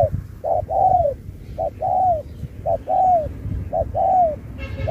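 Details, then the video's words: Spotted dove in a singing contest, delivering the Thúc kèm Bo song style with shifting phrasing. Each phrase is a short hooting note followed by a longer, downward-sliding coo, repeated about once a second. A low rumble sits underneath. "Bài lối Thúc kèm Bo tráo trở nước như chim ngoại"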